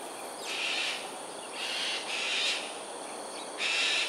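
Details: Cockatoos performing an aerial display, Sungei Ulu Pandan, Singapore, 13 January 2022 at 7.43am, utter four or five rasping screeches at uneven intervals, each about half a second long, over background hiss.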